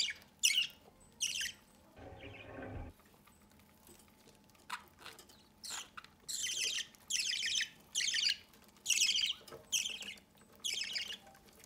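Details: Parent budgerigars feed a chick at the nest entrance. Raspy begging bursts begin sparsely, pause during a short rustling noise, then turn into a fast, insistent series of harsh hissing calls.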